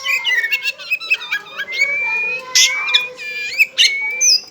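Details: Pet white-rumped shama kept in a cage, pouring out a rich, fast song of whistled notes, rising slides and harsh chattering bursts, sustained almost without pause.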